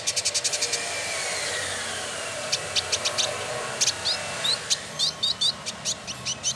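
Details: Male village indigobird, locally called trotol, from Bandung, West Java, Indonesia, singing actively: a quick burst of sharp ticking notes, a pause, then scattered clicks and short high upslurred whistles repeated through the end.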